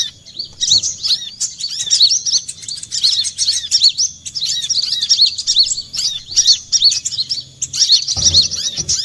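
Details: Recorded lure for trapping olive-backed sunbirds: long, dense chatter of thin, high tweets and bouncing chips, ending with a low thump.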